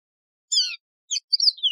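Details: Mozambique serin, the Yellow-fronted canary, gives a brief high fragment: a harsh slurred note, a short chirp, then a warbled whistle falling away at the end. The background is silent.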